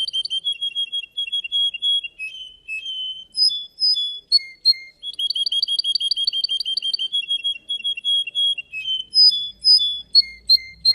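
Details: Contest song of a Russian canary: bright chirped trills, separate clear whistles at varied pitches, and a quick run of rising repeated notes near the middle, all very high and crisp.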